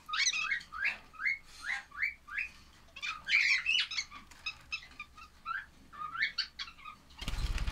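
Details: Lovebird chicks repeat short, sharp upslurred chirps roughly twice a second in a steady pattern for seven seconds, then a sudden burst of broad rushing noise ends the recording.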